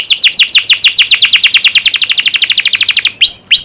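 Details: Canary master song played to teach young canaries: a long, fast, evenly repeated trill of sharp descending chirps for three seconds, ending with two short high whistled notes.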